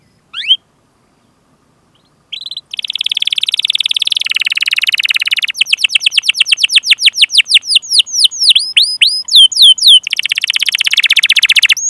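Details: Canary master song with 'ngerol' rolling trills, used to stimulate other canaries. An opening rising whistle is followed by about two seconds of silence. Then comes a long, buzzy rapid trill, then quick descending chirps, looping whistles and another fast roll.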